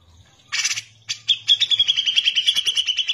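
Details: Grey-cheeked bulbul singing vigorously for use as a tutor recording: a harsh noisy burst opens, followed by a quickening chain of short, bright, high chirps delivered several per second over a faint low hum.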